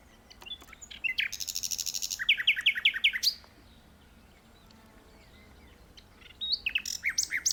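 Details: Powerful nightingale song delivered from an open spot in a tree: a dense buzzy trill, then a string of loud downslurred notes, silence, and a fresh phrase of sharp chirps.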